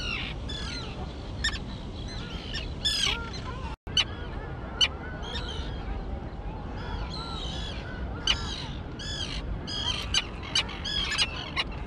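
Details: Young terns, now able to fly, in their grassy island colony; repeated arched harsh calls and sharp ticks from many birds, with a brief dropout early on.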